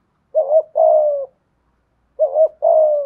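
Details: Decoy spotted dove, 'giọng thổ' voice: two identical low phrases about two seconds apart, each a quick double-humped note running into a long, slightly falling coo.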